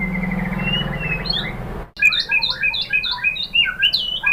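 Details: White-rumped shama (murai batu) song played as a lure to trigger singing: a faint high whistle over steady background hum, then a lively stream of short, bouncing chirped notes at varied pitches.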